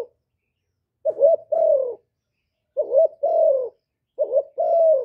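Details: Spotted dove calling, recorded without background noise to stimulate decoy birds. Three evenly spaced two-note phrases about every one and a half seconds, each a short rising coo followed by a longer, gently falling one.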